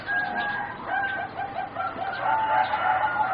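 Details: Juvenile singing zebra doves bred for competition, four birds around 3.5 to 4 months old: overlapping high coos and trills, with a beaded phrase building toward the end over background hiss.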